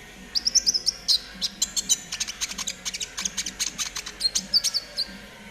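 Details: Caged konin trotol used as a training bird: bright, busy song of high whistled notes and rapid sharp chips, with short rising whistles near the start and end, delivered in dense bursts over a faint low hum.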